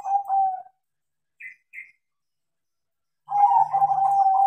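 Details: Zebra dove of crossbred perkutut stock, trained and singing freely: a soft coo, two short higher chips, then a long, bubbling, even-pitched trilling coo phrase.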